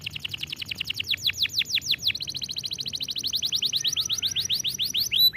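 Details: Canary singing for training purposes: a long run of high, rapidly repeated swept notes, some louder descending slurs near the start, continuing as an even trill through the whole stretch.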